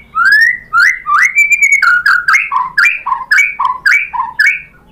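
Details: White-rumped shama lure song meant to make other shamas answer and sing. Loud, clear whistled notes, mostly sliding upward, alternate between higher and lower pitches at about two per second. A long rising slur opens the phrase. There is no other sound.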